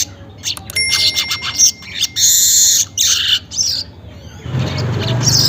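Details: Morning weaver song recorded about 5:40: sharp clicks, then long buzzy sizzling phrases at high pitch, with a low rumble of background noise in the final second.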